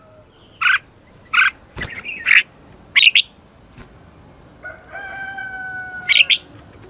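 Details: Red-whiskered bulbul lure bird calling wild birds with a contest-style "ché chéc" song; separate sharp chirps and short doubled notes are spaced about a second apart, with a click and a faint steady tone in the background.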